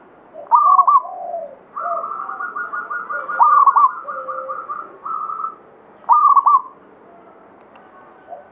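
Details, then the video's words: Local zebra dove of the Banyumili katuranggan type singing actively. A loud rolling coo phrase is followed by a long run of rapid, evenly pulsed coos, then another loud rolling phrase near the end. "SUARA PERKUTUT LOKAL KATURANGGAN BANYUMILI GACOR"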